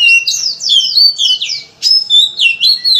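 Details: Oriental magpie-robin singing an insistent varied song used to set other birds singing: fast sequence of sweeping downslurred whistles, about four phrases a second, one brief pause before more bright whistling.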